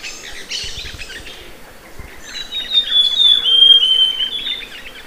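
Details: Amazonian grosbeak song: scattered soft chirps with background noise, then a clear, loud descending whistled phrase around the middle, fading into quieter twitters.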